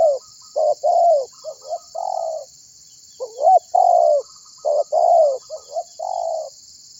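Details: Lure recording of a persistent spotted dove calling others to sing: irregular bursts of hollow coos, short clipped notes mixed with longer falling ones and a few quick rising blips, in two clusters separated by a pause, over a steady high hiss.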